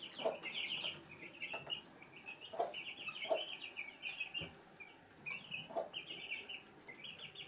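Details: Hen brooding chicks in a room of a house, Sandoval de la Reina, April 2016: low soft clucks come every second or two beneath a steady chorus of high-pitched chick peeps.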